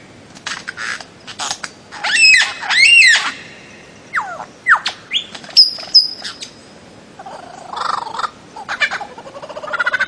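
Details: Bird-of-paradise calls: sharp clicks, paired arched whistles, quick downslurred notes and a closing rising buzzy phrase, spaced irregularly.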